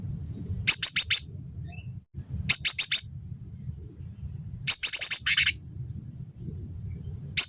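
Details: Gelatik batu (cinereous tit) singing vigorously for songbird training: quick clusters of three or four very high, thin, piercing notes, separated by pauses of about two seconds, above steady low background hum.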